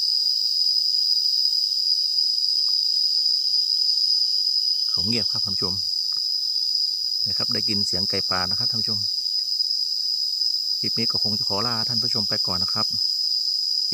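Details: Red junglefowl, thought to be a hen calling for a male, heard about 50 m away in hill forest in Thailand, gives three harsh, harmonic, drawn-out calls over a steady high insect drone.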